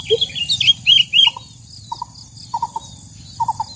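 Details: Wild sooty-headed bulbul calling in the wild, recorded as a trapping lure: a low note, then bright chirps, then soft paired and tripled chip notes repeated every second or so, over steady low background hum.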